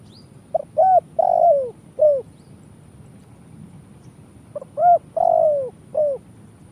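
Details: Indonesian spotted dove, or tekukur, giving its kuk-style call used to lure birds into traps: a four-part cooing phrase, a long pause, then the same phrase again, each ending with a brief coo.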